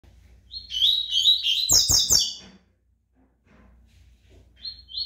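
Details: Brown-plumaged double-collared seedeater singing a rapid, buzzy, twittering phrase of slurred notes and trills. Three sharp knocks break in midway, followed by a short pause and a brief restart.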